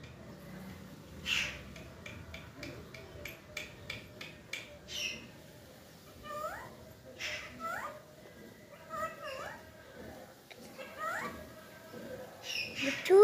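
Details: Green parakeets give short, upswept squeaky chirps in loose bursts, preceded by a run of dry clicking taps, over a steady low background hum.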